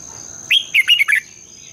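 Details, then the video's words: One quick phrase of the red-whiskered bulbul's morning competitive song, a long twisted double voice used to spur birds on: four or five loud, slurred, warbling notes in under a second over a thin constant high tone. "Luyện chào mào hót sáng, Giọng kép xoắn dài -THÚC BỔI MAU HÓT, luyện chào mào hót sáng căng lửa"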